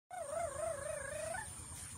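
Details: A common hill myna (Gracula religiosa) in talking mimicry gives a drawn-out, wavering, voice-like note lasting over a second, rising and dipping in pitch, over a steady high electrical whine.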